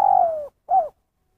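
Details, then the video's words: End of a spotted dove 'kuk satu' phrase: a long, soft coo gliding steadily lower, a short pause, then one brief arched closing hoot. Nothing else audible. "Suara Panggilan Terkukur Kuk Satu"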